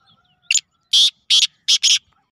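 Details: Black francolin calling: one short click followed by three loud, harsh, grating bursts, the last two doubled, spaced about a third of a second apart, in otherwise quiet surroundings.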